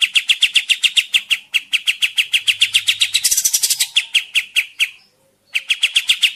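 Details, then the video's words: Kapas tembak bird in energetic, lively voice, used as a lure for trapping in the forest or as a tutor for other birds; fast chirps about four a second, a brief burst of higher scratchy notes, a short pause, then the chirping resumes. "suara pikat kapas tembak gacor"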